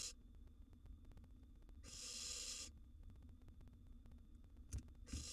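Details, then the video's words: Wild young barn owls in a monitored nest box, siblings competing for food: one long breathy hissing screech of nearly a second, then a brief second burst near the end, over a low steady hum and soft knocks. "Sibling Rivalry: Young Barn Owl Outsmarts Older Brother for Food"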